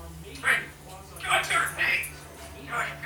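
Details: A one-year-old female African grey parrot, a pet, babbles in four short, speech-like bursts of mumbled syllables over about three seconds, with a steady low hum behind.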